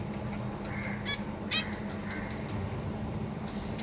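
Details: Caged zebra finches, a parent pair feeding three juveniles and three newly fledged babies, recorded 3 March 2023, give a few short, nasal, toy-trumpet calls, one louder and buzzier than the rest, over a steady low hum.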